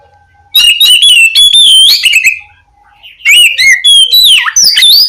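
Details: Oriental magpie-robin, known locally as kacer, calling its companion: two loud runs of rich whistles, trills and chatters with a short quiet gap, over faint low hum.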